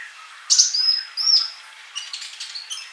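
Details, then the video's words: Male sunbird in full song, kept to teach silent young birds: a sharp high burst, then thin drawn-out whistles and faint scattered chirps. "Kolibri Ninja Jantan Gacor buat masteran yang masih bisu"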